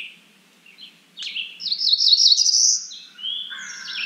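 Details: Cerulean warbler calling: soft opening notes, then an intense series of rapid buzzy notes rising in pitch, ending with longer high whistled slurs and a falling buzzy tail; low background hum.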